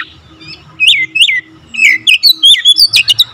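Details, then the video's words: Brief phrase of Oriental magpie-robin song: two rising-falling whistles, then a quickening run of bright whistled notes and clicks over a faint low hum. "Kacer gacor nembak rapat full variasi isian"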